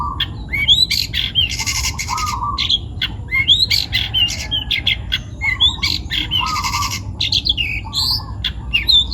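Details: Lively song of a young wild-caught long-tailed shrike from Pati, Central Java: harsh grating buzzes alternate with sharp upslurred whistles and lower nasal chatter, the phrase pattern returning roughly every two to three seconds.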